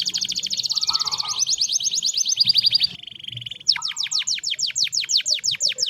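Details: Canary song moving through quick high trills of repeated notes, a short lower warble, a soft buzzy roll, then loud, spaced, downward-sweeping notes repeated about three per second, over faint low background noise.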